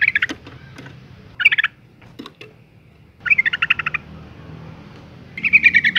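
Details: Calling female yellow-vented bulbul, used to make males sing, produces quick rattling trills and a few isolated chirps, with longer chattering runs near the middle and end.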